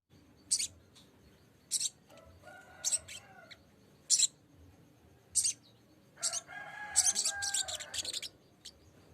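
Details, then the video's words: Lesser green leafbird song used as a lure to call a rival: sharp, high, broadband chirps about every second, then a denser run of rapid mixed twittering notes near the end over a quiet background. "kicau sogok ontong memanggil lawan"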